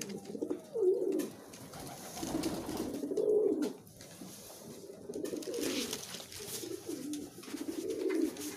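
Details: Pigeons feeding in competition utter deep, bubbling coos in rhythmic bouts roughly every two seconds, with light clicks and rustles between them.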